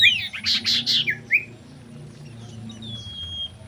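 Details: Common iora (Aegithina tiphia) courtship song: a burst of four or five rapid, bright chattering notes, then a thin high whistle trailing off, with a faint low hum underneath.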